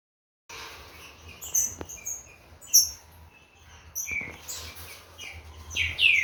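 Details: Captive-bred Green-winged saltator, from a Corvo x Fogueira line, warming up its song. A few loud slurred whistles slide downward near the end, mixed with high, thin chirps from other birds and a low steady hum.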